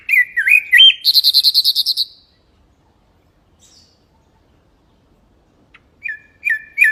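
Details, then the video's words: Mangrove whistler singing a melodious, varied song: looping whistled notes followed by a fast rattling trill of about ten notes, then silence and a few clear slurred whistles near the end. "the sound of the mangrove whistler chirping is melodious and varied"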